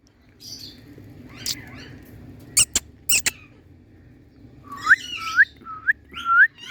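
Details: Indian talking parrot in a happy mood, kept indoors: scattered sharp clicks and faint chatter, then four loud whistled notes sliding upward in quick succession near the end.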